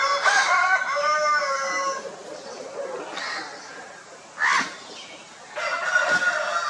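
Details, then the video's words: Crowing rooster among Italian and desi chickens on a poultry farm in India, establishing territories: a strong, drawn-out harmonic crow of about two seconds, followed by short harsh calls and another crow starting near the end. "Poultry Farm shenanigans from India, with Italian and desi murghis dust bathing, preening & crowing"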